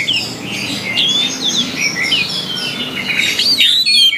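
Orange-headed thrush pouring out a rapid, varied song of clear whistles, slurred rising and falling notes and short chirps, with no pause over four seconds.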